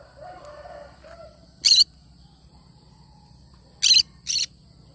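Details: Cinnamon green-cheeked conure making three short, rasping shrieks, the last two in quick succession, after soft low chattering, with a low rumbling background throughout.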